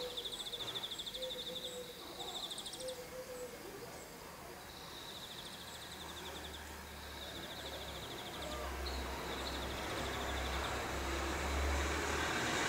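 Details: European greenfinch heard outdoors: high rattling trills in several bursts, some rising, spaced through the first half, then fading under a growing low rumble of wind or traffic.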